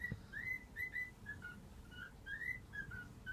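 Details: Household cockatiel whistling 'If You're Happy and You Know It' as a morning wake-up: a quick string of pure, slurred notes rising and dipping in a bouncy rhythm, about two per second, in a quiet room.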